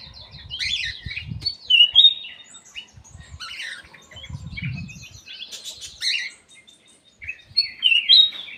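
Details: Black-capped bulbul singing in an aviary: bright, varied whistled phrases and chirps with sliding, slurred notes, short bursts separated by pauses, over soft low thumps and rustling.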